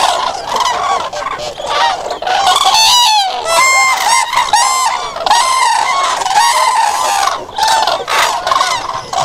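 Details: Common cranes trumpeting together: bursts of loud, resonant calls with wavering pitch rise and fall in intensity, several birds overlapping throughout, with brief quieter gaps between the louder outbursts.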